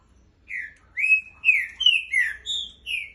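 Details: Green-winged saltator singing a clear whistled phrase of about seven slurred notes, rising and falling, steady and loud.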